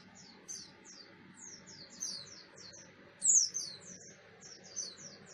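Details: Buxton's white-eye, ngalas song played as a lure for other white-eyes: quieter, more distant-sounding series of thin, high descending whistles, with one louder burst near the end.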